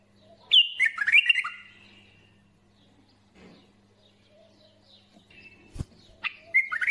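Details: Bulbuls singing: a brief burst of warbled, slurred notes near the start, a quiet stretch with steady low hum, then a few more short chirpy phrases at the end.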